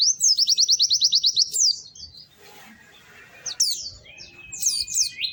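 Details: White-eye in lively song: a rapid, very high trilling run, a pause filled with soft noise, then a sharp click, a steady whistle and more high sweeping notes.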